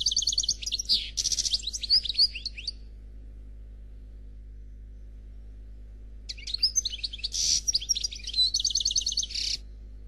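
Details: A black European goldfinch performs faultless Khalwi song in two bursts of high, rapid twittering and buzzy trills, each lasting two to three seconds and separated by about four seconds of near silence over a low hum.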